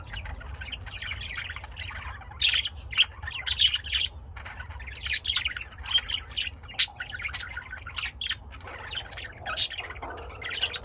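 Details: Lovebirds kept at home in Austin, Texas, USA, giving a busy stream of sharp squawks and high chirps, many short bursts overlapping throughout, with a low steady hum underneath.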